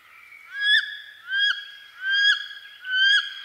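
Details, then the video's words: Carolina duck, a North American perching duck: four upslurred squealing whistles in quick succession, roughly one every three quarters of a second, each swelling and ending abruptly, with a clean quiet background. "Wood Duck Sound"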